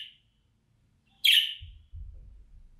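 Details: A single loud, rasping chirp from a budgerigar, a calling sound meant to draw an escaped bird back, with the end of an earlier call at the start and low rumbling noise afterwards.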